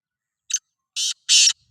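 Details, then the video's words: Black francolin of the Sindhi type: three harsh, grating, broadband notes, a short rasp followed by two longer buzzy ones, delivered over about one second against a completely silent background. "Kala Teetar Voice | Black Frankoline Voice | Sindhi Kala Teetar Voice کالا تیتر کی بولائی"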